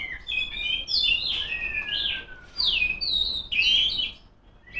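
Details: Oriental magpie-robin hen singing to challenge rivals, delivering a continuous flow of bright whistled notes, quick slurred sweeps and a long falling whistle, with dense overlapping phrases and brief gaps.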